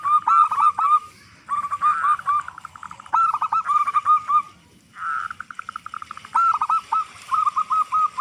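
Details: Big-voiced local zebra dove singing steadily, meant as a lure so other zebra doves sing sooner; repeated phrases of fast, rolling coo notes, some blurred into a trill, separated by short silences.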